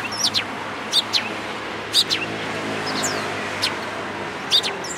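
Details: Eurasian tree sparrows at a Tenmangu shrine in Japan, 14 April 2022. A few spaced, piercing chirps, roughly one per second, sound against continuous traffic noise.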